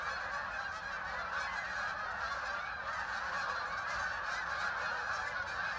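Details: Thousands of ducks arriving, flying in and landing on the water at Hockanum River Linear Park in Vernon, Connecticut; a dense, continuous chorus of overlapping honking and quacking calls, steady throughout with no pauses.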